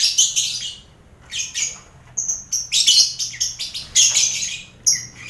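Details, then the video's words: Colony lovebirds with finches and quail, recorded for contest training; scratchy high chatter comes in short clusters, mixed with thin whistled notes and brief quieter gaps. "Sound Koloni Lovebird"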